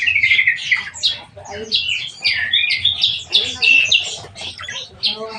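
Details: Black-winged myna kept and cared for by a keeper, giving a dense run of harsh, squawky, chattering notes with scratchy rising and falling phrases, nearly continuous throughout, with faint low room noise beneath.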